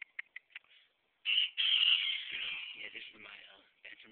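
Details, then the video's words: Pure black bantam rooster, about five to six months old, gives a few short clucks, then a thin, high-pitched crow held for over two seconds before trailing away. "Black Bantam Rooster Crowing"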